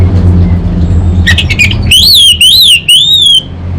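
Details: Orange-headed thrush of the anis bata type in energetic kabel konslet song: a few sharp clipped notes, then three loud undulating whistled phrases in a row, with a steady low hum behind.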